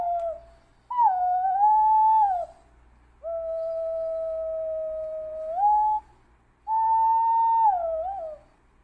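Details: Thai lure recording of a green pigeon: clear, fluting whistles, one wavering and falling, then a long level tone lasting over two seconds that lifts at its end, then another slightly warbling whistle. No other sounds.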